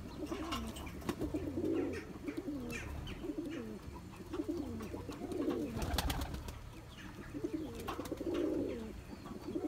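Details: Male Turkish tumbler pigeon (Taklacı) chasing his mate to breed in a loft; loud, throaty coos repeat in swelling phrases roughly every two seconds, with wing clicks and faint chirps.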